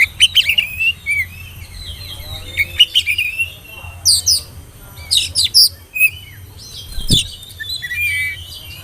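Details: Oriental magpie-robin, a spotted young bird, singing as a lure to prompt young magpie-robins to sing: varied high whistles, chirps and harsh bursts in quick separate phrases, with a steady low hum underneath.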